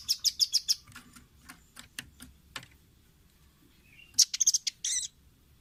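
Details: Velvet-fronted nuthatch training track for caged birds to copy: a fast opening burst of high sharp chips, scattered thin ticks, then a clustered squeaky phrase and a short buzzy note.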